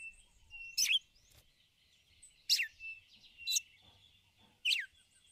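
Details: Female red-cowled cardinal calling to stir up the male, giving the 'ticulau' call. Four short, sharp, sweeping chirps that drop steeply in pitch come about a second apart over a thin, steady high whine in the background.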